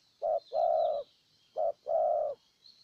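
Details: Luring a wild bird in Ninh Thuận, Vietnam, a decoy spotted dove gives two coo pairs: a quick soft note, then a sustained full coo. A thin, continuous higher chirping runs in the background.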